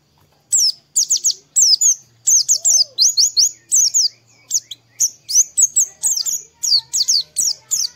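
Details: Morning song of an Oriental white-eye, meant to stimulate singing: a nearly continuous run of thin, high, down-slurred chirps delivered in quick clusters, with a brief low whistle partway through.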